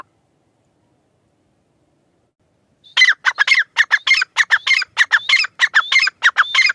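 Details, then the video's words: Grey francolin calling: loud, harsh, rapidly repeated notes, about a dozen in under four seconds, ringing and slightly metallic, after a near-silent start; laughter around it. "Teetar sound | Irani Teetar voice | gray francolin tetar sound | teetar awaz"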